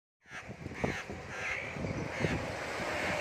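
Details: Black-throated laughingthrush (Pterorhinus chinensis) on a cold day giving harsh, raspy calls in a string of bursts about every half second, over a low background rumble.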